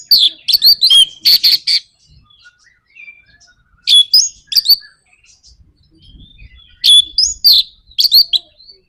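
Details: Orange-headed thrush in lure song, 'nraktak konslet' style, used to stir other birds into singing: loud bursts of harsh chattering and squeaky notes, separated by quiet gaps with faint background rumble.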